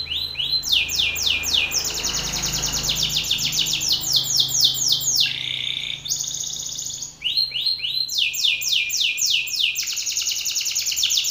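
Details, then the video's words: Fierce Belgian canary male singing hard in a rival male's face: long, fast trills of bright, downward-sweeping syllables, shifting into slower rolls and a short, lower buzzy passage, then fast trilled tours again. "Canário belga BRAVO CANTANDO FORTE na cara de outro macho !"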